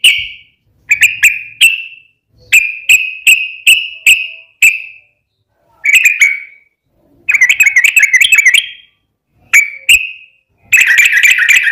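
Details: Yellow-vented bulbul (trucukan) lure song with long "ropel" trills meant to make other bulbuls reply: sharp, clipped chirps repeated in quick runs, a wavering warbled phrase, then a dense rattling trill at the end.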